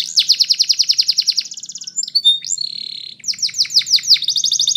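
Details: Belgian canary song built from a long run of rapid repeated downslurred notes, a few clear whistles and a short held tone, then a series of swooping notes into a fast trill.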